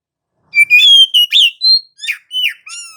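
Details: Oriental magpie-robin (kacer) in rolling gacor ngerol song played to lure other magpie-robins into singing: bright steady whistles followed by a string of sharp chirps and slurred notes, each about half a second apart.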